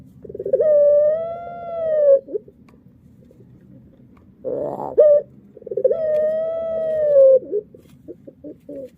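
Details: Puter pelung dove giving long, clear, slightly arched coos, with a brief buzzy rolling burst between them and short clipped notes trailing off.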